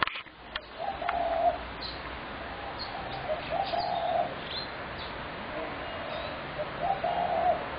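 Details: Spotted dove recorded 21 January 2017 gives low, hollow cooing phrases about every three seconds over steady background hiss, with a few faint higher chirps from other birds.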